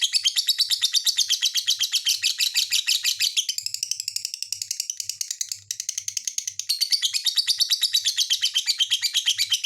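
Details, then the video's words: Lovebird song: long, rapid, high chattering of harsh chirps, dipping briefly into a softer, lower passage midway before the loud twitter resumes. "SUARA BURUNG LOVE BIRD"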